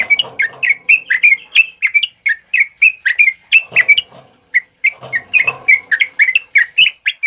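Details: Sooty-headed bulbul's loud ropel song, recorded in heavy rain as tutor material for other caged birds: dense rapid strings of bright chirped whistles, each note dipping then rising, in two long bursts separated by a brief pause, with low chattering beneath.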